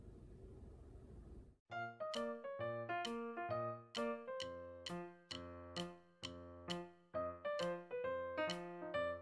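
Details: Soft room hiss gives way to a bouncy piano melody with evenly spaced chords, no animal voice.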